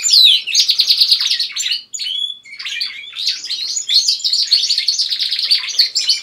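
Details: A group of canaries kept at home singing together behind a lead singer: a sharp descending whistle opens into quick buzzy trills, a clear whistled note, then long rattling phrases of chirps.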